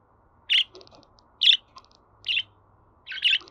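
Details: Budgerigar sounds played to pet birds to encourage them to sing: four bright, buzzy chirps spaced about a second apart, with fainter soft ticking notes between them.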